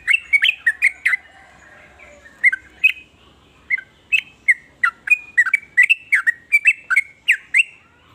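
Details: Varied sooty-headed bulbul song meant to set other bulbuls singing: clear, bubbly whistled phrases in quick bursts, a short pause after two seconds, then an even string of chirpy notes.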